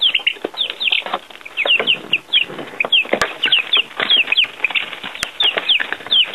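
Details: Baby chicks on their first outing outdoors with earthworms; clear, thin peeps sweeping down in pitch, somewhat sparser, several birds calling with brief pauses and soft scuffling.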